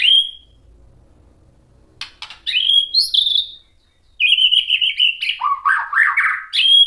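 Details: Song of a white-rumped shama, used to stir other shamas into replying: a clear high whistle, a pause, then rising whistled notes followed by a rapid run of varied, lower warbled syllables.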